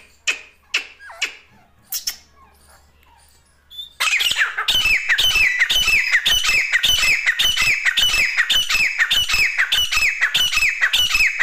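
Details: A female grey francolin (teetar), its call used as a decoy for hunting, gives a few scattered sweeping notes, then breaks into loud, harsh, squawking calls repeated almost twice a second.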